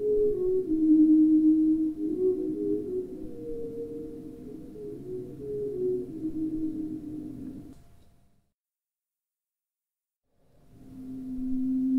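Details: Low, smooth gliding tones like a slowed instrument weave for about eight seconds, fall silent, then a steady hum returns.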